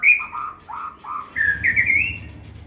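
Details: Young white-rumped shama in an aviary, fluting whistles dropping low then stepping upward through a chain of slurred, mellow notes, with a low hum underneath.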